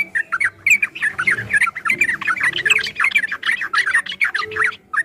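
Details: Ropel-style song of a yellow-vented bulbul from a training track for caged birds, a nearly unbroken run of rich, jumbled chirps and warbles with a soft low rumble in the background.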